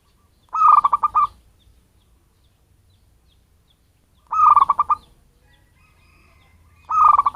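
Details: Lure call of a wild-caught local zebra dove, used to attract birds. Three bursts of quick, evenly pulsed coos, each lasting under a second, separated by pauses of about three seconds.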